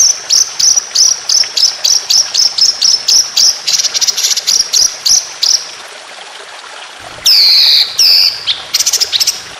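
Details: Rolling 'tembakan' from a white-rumped shama: steady stream of high, sharp notes for several seconds, a gap, then loud swooping whistles and short rapid notes.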